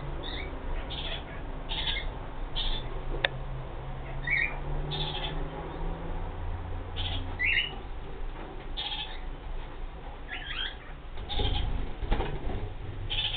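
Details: Kakariki chattering repeatedly, brief harsh squawks and squeaky twittered notes spaced every second or so across the recording, with a low droning hum and occasional knocks in the background.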